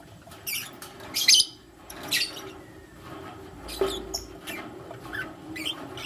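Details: Lutino lovebirds, one male and two females, the male choosing between them in the morning: scattered shrill chirps, a louder harsh burst near the start, then softer, sparser calls.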